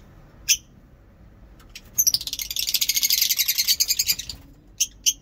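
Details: Lovebird in long ngekek style: after an isolated sharp chirp, a dense rattling chatter builds from about two seconds and pulses quickly for over two seconds. Two brief chirps close the passage.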